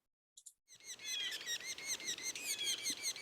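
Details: Young Yellow-bellied Sapsuckers keep up a dense, high peeping chorus of begging calls, several a second, with an adult's mew call note. They are fed about 15 seconds in, then quieten and gulp while still calling.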